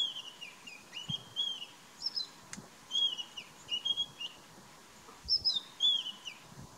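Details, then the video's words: Brown-headed parrot feeding, filmed in Kruger National Park: repeated shrill whistled notes, some flat and some sliding down, given in short clusters every second or so over a low rustling background. "Brown-headed Parrot feeding"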